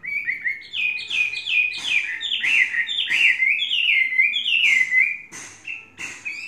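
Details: Chinese hwamei, a tame caged bird three seasons in training, singing a loud, continuous run of rich whistled phrases, short slurred notes rising and falling in quick succession with a few brief pauses.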